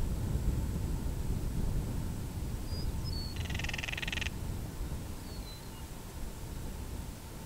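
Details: Northern Crested Caracara, a falcon rattling when disturbed in breeding season, filmed on a Canon SX70HS: one hollow, rapidly pulsed rattle near the middle, with a few faint high whistles from other birds and steady low rumble.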